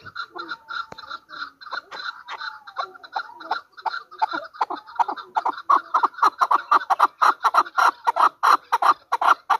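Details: A hunter chukar partridge from Pakistan calls with loose clucks that swell into a dense, loud, rhythmic chatter of rapid chuck notes in the second half.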